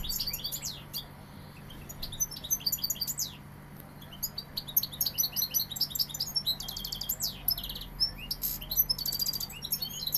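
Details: European goldfinch of Seville singing: sparse high chirps at first, building into dense jingling twitters and repeated rattling trills toward the end, low hum audible throughout.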